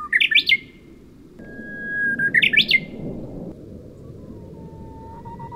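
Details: Singing bush warbler, Oeyeondo island, Boryeong, South Chungcheong, 3 May 2023: a loud flourishing phrase, a held whistle leading into a second flourish, then a lower drawn-out whistle that wavers at its end, over a low background roar.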